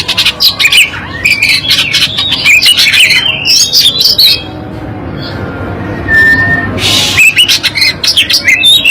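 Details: Black-breasted Oriental magpie-robin of East Java singing high, varied chirps and sharp twittering phrases in dense bursts, with a steady low music beat and a brief loud rushing noise near the end.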